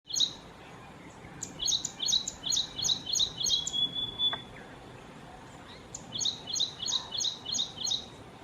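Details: Ashy prinia call, Kerala, India: two quick runs of about seven high, sharp, buzzy notes, three per second, split by a thin drawn-out whistle.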